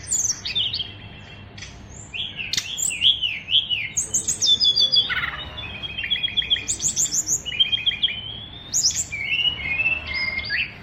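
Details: Caged oriental magpie-robin bred as a fighter bird, singing a full repertoire: varied whistled phrases, rising and falling slurs, and rapid high trills in quick succession, with brief pauses and faint background hum.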